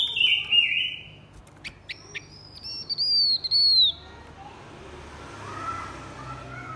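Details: Blue-winged minla male and female in song: a wavering whistle, then brief ticks and a long bright arching whistle lasting about a second, fading into quieter background.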